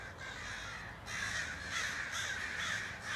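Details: Evening gathering of crows circling near a tree full of them. Harsh cawing pours out in overlapping bursts, briefly thinning after the first second before a louder wave of calls rises and continues.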